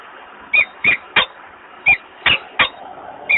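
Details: Male peregrine falcon calling at a nest in Włocławek, Poland, 28 February 2022, inviting a female who declines. Seven sharp creaky chips at uneven intervals, some with a thin squealing edge.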